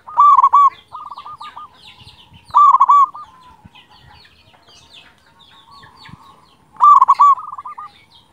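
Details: Local zebra dove with a big voice, sung as a tutor recording to rouse lazy singers: strong bursting coos, each run straight into a fast rolling trill, three phrases over eight seconds, with faint higher chirps from other birds.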